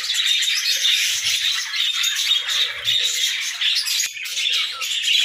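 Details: Group of budgerigars singing on a morning, busy overlapping chatter of squeaky chirps and grating warbles, dipping briefly near four seconds before picking up again, a few soft low bumps beneath.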